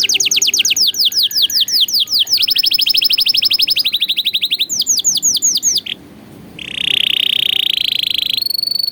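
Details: Tutor song for young canaries: long runs of rapid downward-swept notes in changing tempos, a short pause, then a smooth high trill and a brief higher note.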